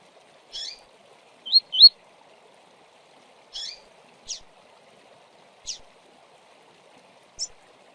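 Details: Double-collared seedeater (coleiro) singing the tui-tui style: sparse, high, sharp notes, a close pair near the start then single notes every second or so, against a faint low hum.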